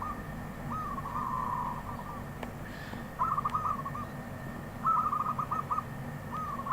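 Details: A wild zebra dove gives a long purring trilled coo, then three shorter staccato cooing phrases spaced roughly one and a half seconds apart, over faint hum.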